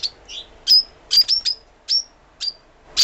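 A lovebird gives sharp, shrill, high chirps, about eight in three seconds at an uneven pace, with nothing else clearly heard.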